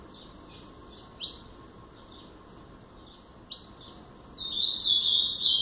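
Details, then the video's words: A pardo blue-black grosbeak giving isolated sharp upslurred chips about a second apart, then breaking into a loud, rich warbled phrase of the Paraná song at the end. "Azulão Paraná pardo"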